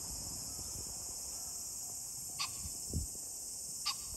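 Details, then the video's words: On 21 July 2024 a green pheasant gives brief, hoarse, clipped calls spaced well apart, with a continuous shrill high-pitched hum throughout and some low thumping noise. "pheasant call ,キジ ,꿩"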